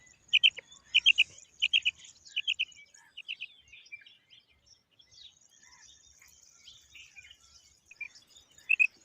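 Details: Female quail (batair) calling: short clipped notes in tight groups of two or three, repeated at irregular intervals with pauses, over faint background chirping of other small birds.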